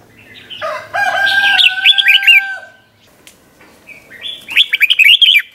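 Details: Red-whiskered bulbul singing in the doubled 'bernl' style for teaching young birds, two bouncy warbled whistle phrases with a pause between, the first over a steady pure tone from another source.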